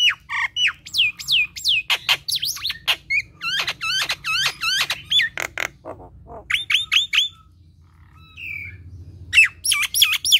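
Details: Nias hill myna giving its lively gacor kemrewek chatter: bursts of loud, slurred whistles dropping in pitch, interspersed with sharp clicks, a short quiet pause, then the whistling resumes.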